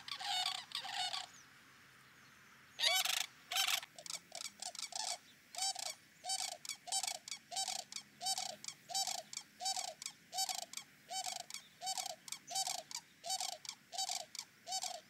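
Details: Sandhill cranes by a lakeside, calling at a gathering site, give loud, rolling, rattling bugles, repeated roughly every half second and overlapping from several birds, with a brief pause near the start.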